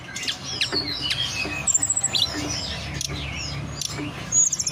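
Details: Mountain forktail (tledekan gunung) lure meant to make birds sing and reach breeding condition; scattered sharp high chirps and swooping whistles in bursts, background low hum.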